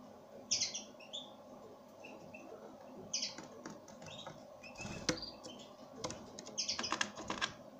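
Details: Pine grosbeak calling in brief, bright chirps that come in small clusters, mixed with sharp clicking and tapping noises close by.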